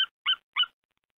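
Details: At a Hungarian nest-camera nest on 8 February 2019 at 14:42, a female white-tailed eagle calls the male to take over incubation, giving three short, sharp, high, clear yelps about a third of a second apart.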